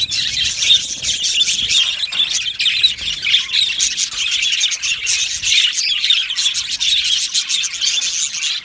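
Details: Yellow male budgerigars, Australian parakeets kept in an aviary colony, chattering together in a dense, continuous wash of high, scratchy chirps and warbles with short squawks, many birds calling at once without pause.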